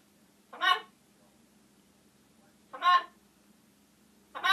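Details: Talking pet macaw indoors giving three harsh, raspy squawks spaced about two seconds apart, each short and broadband, over a faint steady hum.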